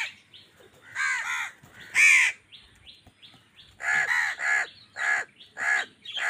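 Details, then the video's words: Crows fighting with wild birds over food: a rapid string of harsh caws, often doubled or tripled, about a dozen in six seconds, with faint twittering behind. "Angry kawa ki awaaz"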